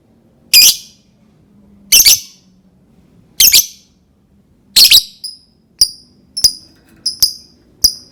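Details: Lovebird sounds for prompting other lovebirds to sing: harsh, raspy squawks spaced about one and a half seconds apart, then a faster run of short, clear, high ringing pips.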